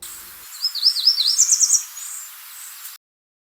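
Yellow Warbler singing one quick, high, sweet phrase of warbled notes lasting about a second and a half, climbing to a brighter flourish at the end.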